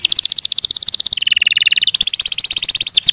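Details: Canary singing a continuous rapid trill of sharp repeated notes, dipping into a lower rolling phrase midway, then returning to the fast high trill.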